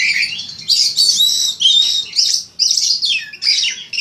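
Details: White-rumped shama singing for a contest master recording: loud, rich phrases of sustained whistles and buzzy chatter in quick bursts, each phrase separated by very brief pauses.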